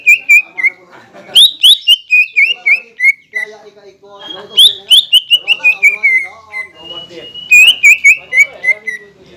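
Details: Green leafbird in persistent song used to rouse rival birds, described as including kingfisher and magpie robin sounds. Three bursts of rapid sharp whistles cascading downward, with soft warbling between bursts.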